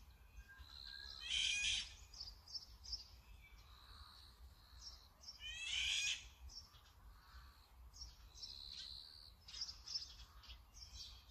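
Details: Brown-eared bulbul recorded with a Sony camera and 200-600mm lens: two loud, harsh, screeching bursts about four seconds apart, with thin high whistles and chirps from other birds scattered between them over a low rumble.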